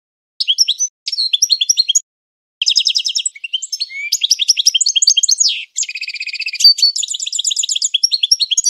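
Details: Classic singing of a European goldfinch used as a training song: bursts of bright chirping twitters after short pauses, then a long run of fast trills, metallic buzzes and sharp rising and falling notes.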